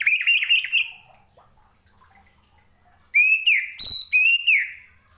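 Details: Orange-headed thrush song, used as a master recording for other cage birds: quick repeated whistled notes that swoop up and down in two bursts, separated by a silent pause.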